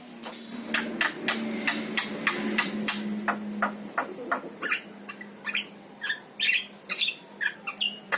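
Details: Yellow-eyed Javan myna singing, its song played to start pet mynas singing: regular dry click-like notes about two a second over a low hum, then looser scratchy squawks and short whistles.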